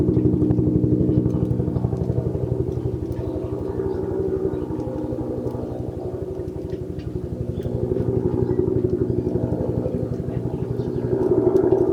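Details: Steady rumbling engine with rapid regular pulsing, like an idling motorcycle, and no animal calls heard.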